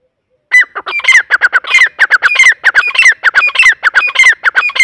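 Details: Grey francolin, called Irani or Dakhni teetar, calling in a loud, fast run of harsh, squawking notes, each with a ringing rising-falling whistle, repeated about every half second without pause.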